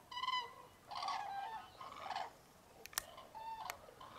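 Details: Common cranes at a dawn roost in freezing January fog, Tablas de Daimiel National Park, Spain. Several clear, rich trumpeting calls with strong overtones ring out in separate bursts, and there is a sharp click near the middle.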